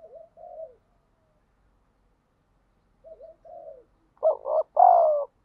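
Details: Two soft, distant spotted dove coos, each a low wavering phrase, are followed by one loud close two-part coo. The calls are used to incite fighting and lure wild doves.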